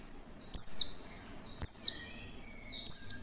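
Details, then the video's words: Female Oriental white-eye call, used to lure other white-eyes into singing: three high, thin, sharply descending whistled notes, each sliding down quickly, spaced about one to one and a half seconds apart, over faint low background noise. "pleci betina SUARA JERNIH pasti cepat memancing pleci buka paruh"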